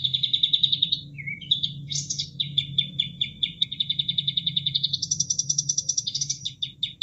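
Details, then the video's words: Sooty-headed Bulbul master song for training caged birds: a buzzy trill, a low whistled dip, a high rasp, then a long fast run of chipping notes rising to a higher buzzy stretch, over flowing water. "Masteran Kapas Tembak"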